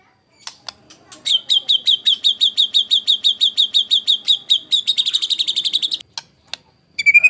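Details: Shama master song in the harsh 'tembakan kasar' style, recorded for training competition birds: a steady series of about twenty sharp repeated notes speeds into a faster rattle, followed by scattered clicks and a final whistle.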